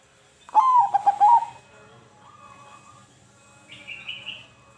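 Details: Zebra dove call, played to stimulate silent doves into calling. A loud, warbling coo opens the clip, followed by a softer drawn-out note and a brief higher trill near the end, over a quiet background.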